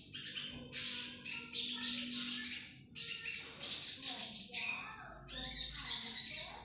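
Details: Song of a common iora, known locally as sogon: dense, high chattering and whistled phrases in several bursts, with a faint low hum beneath.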